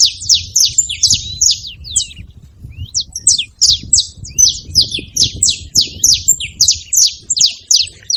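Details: Saffron finch at a seed feeder giving a lively run of shrill chirps and slurred high notes, briefly pausing midway before resuming rapid repeated calls, low rumbling noise underneath.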